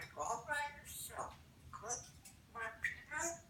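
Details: Two-year-old African grey parrot talking indoors on President's Day 2016: a run of speech-like voiced phrases in short bursts over about three seconds, with rich harmonics and pauses between words.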